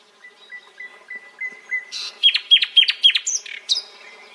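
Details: Nightingale song that opens with soft, evenly spaced whistled notes at one pitch, then swells into loud, rapid, sharply slurred notes and a high ringing flourish at the end.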